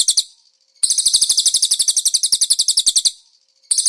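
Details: Master song of a konin featuring cililin imitations, used to train caged birds: a short trill, a pause, then a long, fast run of high, sharply pulsed notes lasting over two seconds before another burst begins.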